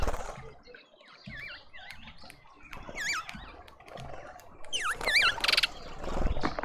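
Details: Mousebirds gathered at a suburban garden feeder in Pretoria, South Africa give repeated wavering whistles in small clusters, ending in a buzzy rattle, with low rustling underneath.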